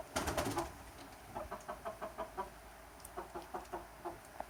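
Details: Chickens and roosters enjoying summertime: a brief loud burst of calls, then soft rhythmic clucks spaced roughly every quarter second over faint background noise.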